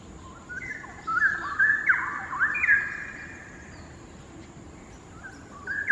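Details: Straw-headed bulbul, one of two birds perched on a hanging branch across a quarry in Singapore, singing at a distance, the cavernous quarry amplifying it: rich, bubbling warbled phrases sliding between pitches, a burst in the middle then quiet, another phrase starting.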